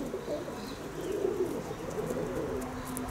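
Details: Soft, low, bubbling coos from kept pigeons run through the short stretch over a steady background hum.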